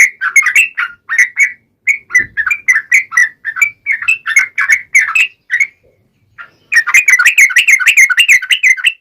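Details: Vigorous wild-style Yellow-vented bulbul song, used to provoke birds to sing: long chains of short bubbly notes, a brief pause, then a faster, denser chattering run.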